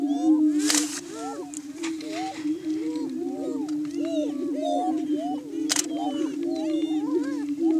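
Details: Displaying Greater Prairie Chickens on a hilltop lek in Washington County, Kansas, in spring mornings: a low steady boom, many arched whoops and cackles, and two brief loud broadband bursts.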